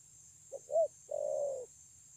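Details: One spotted dove phrase recorded 9/6/2020: a soft short coo, a louder rounded coo, then a long level hollow coo lasting about half a second, against a low steady hum.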